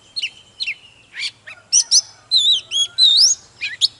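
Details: Oriental magpie-robin in intense song: varied whistled notes, a long steady whistle, buzzy downswept chirps and a rising clear slur near the end, spaced irregularly, with a low hum underneath.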